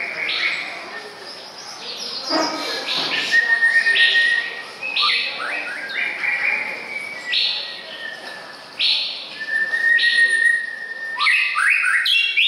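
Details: Male white-rumped shama, 24 May 2014, delivering a lively stream of clear whistles, held level tones broken by rapid high flicks, phrases repeating several times a second amid persistent background hiss.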